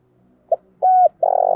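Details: Spotted dove in a 'thúc' (urging) cooing style, used to stimulate wild doves to coo and show up quickly: one short hoot, a level mellow coo, then a long throaty coo, with a quiet background.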